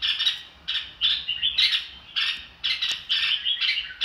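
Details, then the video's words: Red-whiskered bulbul singing, a string of short bright chirpy phrases repeated roughly every half second, busy and warbling, with brief pauses between bursts and one sharp click near the end. "chào mào ro kích bổi sung theo"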